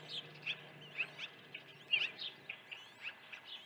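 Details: Osprey at a ranch nest during early feeding, 1 June 2019, 08:24 morning; high thin chirps in short bursts about every half second, over faint steady background hum.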